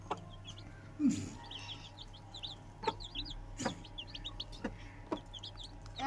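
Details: Young Aseel chicks raised at home peep in brief, high, falling notes, often in little clusters of two or three, against a constant low drone with a few sharp taps and a soft low thud.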